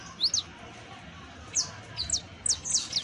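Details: Young saffron finch (canario basto) giving brief high notes: a quick pair of sharp chips, then scattered downslurred tseep notes after a pause, over a faint low rumble.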